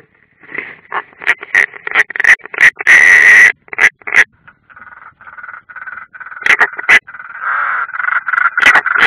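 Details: European rollers at a nest in the Ādaži training ground, Latvia, on 30 June 2016, one bird unringed: harsh, rasping croaks in irregular bursts, several per second, with one long grating call in the middle.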